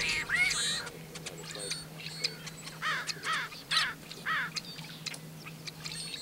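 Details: A male Tricolored Blackbird sings and calls near Kern National Wildlife Refuge, California, on 26 February 2003: harsh, nasal, buzzy squawks and strained snarls, overlapping in quick bursts over a steady low mechanical hum.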